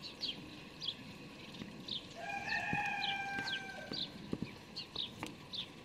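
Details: House sparrow fledglings fed by an adult on 12 May 2019: insistent, repeated short chirps throughout, overlapped midway by another bird's long, drawn-out whistled notes.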